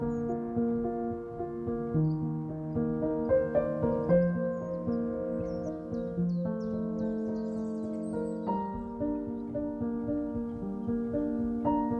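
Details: Gentle keyboard music with sustained harmonic chords fills the whole stretch, and no animal voice comes through.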